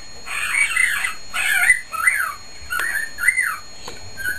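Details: Caged male cockatiel calling loudly, mixing rough, squawky bursts with several clear arched whistles and a few faint clicks.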